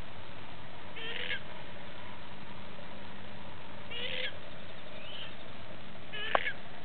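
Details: Wild, free-roaming pukeko (Australasian swamphen) at Mount Tutu Eco-Sanctuary, New Zealand, gives four short, harsh, nasal squawks spaced one to three seconds apart over a steady low background rumble.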